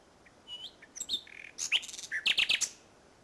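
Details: Common nightingale at Salthouse, Norfolk, May 2011, evening after a bird race: varied phrase of thin whistles, a low buzzy note, then loud, sharp, rapidly repeated chirps.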